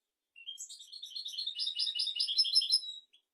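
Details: European goldfinch singing to tutor goldfinches and canaries: a thin rising note opens a continuous stream of quick, jangling twitters lasting nearly three seconds.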